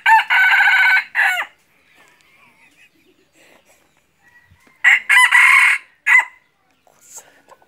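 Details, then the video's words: Two loud, harsh crows from a red junglefowl decoy bird used in hunting, about five seconds apart. Each is a choppy three-part phrase ending in a short tail note, with faint low chatter between them. "ไก่ต่อไก่ป่า-qaib dib qaib qus"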